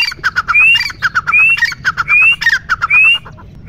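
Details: Grey francolin calling: loud, harsh squawking phrases with short rattling notes around a rising, drawn-out shriek, repeated about every 0.7 seconds in a fast, rhythmic series, with no other clear sounds.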